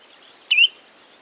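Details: Spotted redshank at Karsiborska Kępa, Poland: a single short, sharp whistled note, quickly rising then falling, lasting under a quarter second against a quiet background hiss.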